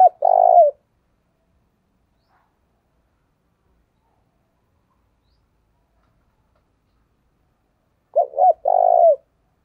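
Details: Lure spotted dove giving its calling coo to bring wild doves in. Two phrases roughly eight seconds apart, each a pair of brief notes leading into a longer, steady low coo. Silent between phrases.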